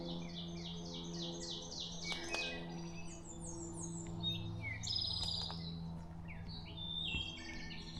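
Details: Hermit Thrushes, several singing at once near a campsite on the Appalachian Trail in Connecticut; flute-like song opens with a quick run of repeated descending high notes, then layered whistled phrases overlap, over a low constant hum.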